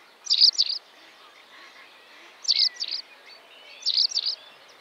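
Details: Great crested grebe with chicks at the Tovačov ponds, Czech Republic, 2013–2014: three bursts of paired shrill, high peeping notes, about two seconds apart, with soft thin whistles between them.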